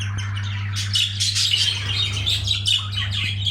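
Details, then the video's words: Budgerigar calling during mating. A lively, high chattering warble of quick chirps and squeaks, partly overlapping, over a loud steady electrical hum. "Muhabbetkuşu çiftleşme sesi"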